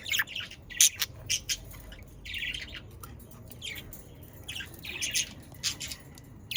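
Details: Pet budgerigars, Australian parakeets, from the Den Haag region of the Netherlands, in chattering song meant to prompt other budgies to sing: bright buzzy chirps and short warbled bursts, some loud and squawky, coming in irregular clusters over a faint low hum.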